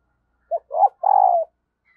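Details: A female dove calls to stir up males, and wild birds are said to answer it fast. One phrase: a brief low note, a rising note, then a drawn-out, slightly tremulous coo sliding downward. Nothing else is heard.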